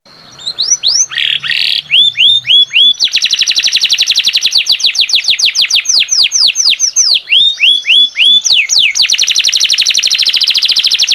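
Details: Canary in full song, described as gacor (singing continuously and loudly): rapid trills of repeated downslurred notes, buzzy rolling tours and sweeping whistles, phrases changing every second or two without pause.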